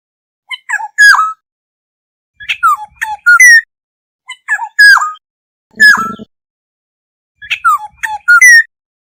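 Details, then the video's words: Black-hooded oriole flock call used as a lure: clean phrases of loud, harsh, downslurred squawky notes mixed with short whistles, each burst lasting under a second and repeated about every two seconds, with one low buzzy thump. "Tiếng chim Vàng anh đầu đen mồi gọi bầy chuẩn mp3 | Black-hooded Oriole call sound"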